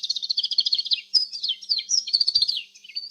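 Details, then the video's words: Canary song opening with a rapid pulsed trill of even repeated notes, then shifting into varied sweeping whistles and warbles. "صوت الكناري الأصلي | Canary Chirping Sounds"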